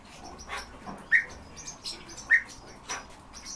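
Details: Kept European bee-eater giving two short, bright, mid-pitched chirps about a second apart, over a steady hiss of wind or rustling.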